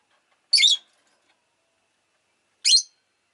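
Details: Two harsh, high-pitched chirps from a rosy-faced lovebird, about two seconds apart, with silence between.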